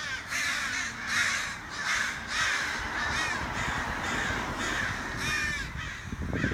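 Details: Outside a back door, crows give loud, rasping caws in evenly spaced runs, calls drawn out and throaty, with faint low background rumble.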